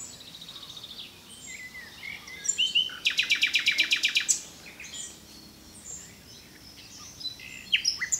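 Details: Common nightingale in song; soft whistles and chirps, then a fast rattling trill of identical notes lasting over a second, followed by further scattered varied phrases and a brief clipped burst at the end.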